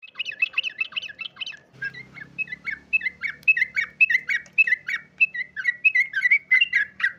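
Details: Yellow-vented bulbul singing vigorously and answering at once: a lively run of bubbly, chattering notes that rise and fall, delivered in quick short phrases, with a low hum in the background for a moment.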